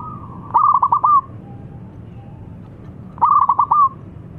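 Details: Young local zebra dove, thick-voiced and used as a lure for doves, gives two matching phrases about three seconds apart, each a brisk string of staccato coos closing on a longer note.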